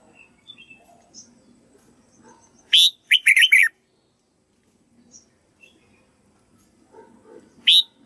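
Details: Red-whiskered bulbul rehearsing its song so white-cheeked birds learn it. One loud, chattering warble of quick, slurred notes rises out of near quiet. A short whistled start of another phrase follows, with faint chirps in between.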